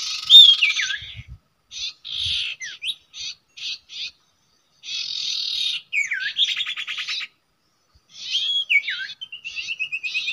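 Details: Common iora singing at a usual nesting site at a bird-trapping spot: short high buzzy bursts separated by silences, with sharply falling whistled slurs and a rapid rattling series. A drawn-out trill closes the sequence.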